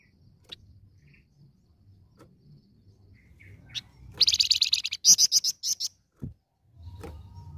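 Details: Flamboyan bird giving a lure song: a quick burst of rapid, buzzy, high chattering notes repeated in a fast series, with a few scattered chirps before and after, over faint low background rumble.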